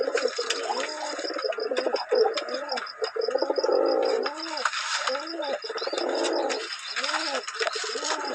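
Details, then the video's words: Pigeons give low, throaty, rolling coos in overlapping bouts every second or so, with faint chirps of small birds and a thin high hiss behind. "Pigeon sound effects"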